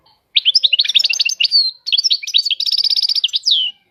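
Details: European goldfinch delivering a rapid, varied twitter of high sweet notes and slurs, broken by a brief gap, then a fast repeated trill ending in a descending whistle; clean, close recording.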